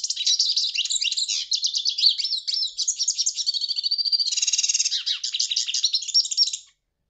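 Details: Hooded siskin, known locally as pintassilgo, delivering a long, fast, high twittering song of chattering trills and buzzy rattles, with a brief steady whistled note midway, continuous for about six and a half seconds.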